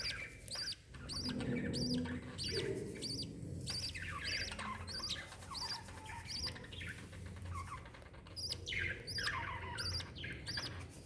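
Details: Mother lovebird with her chick, 26 December 2021: rapid high arched chirps repeated about every half second, mixed with descending squeaky harmonic calls, over a steady low hum.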